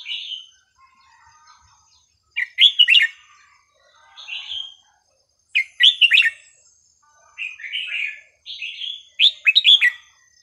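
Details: Red-whiskered bulbul song meant for teaching young birds: repeated short phrases every second or two, alternating clear single whistles with rapid three- to four-note warbled flourishes, in a quiet setting.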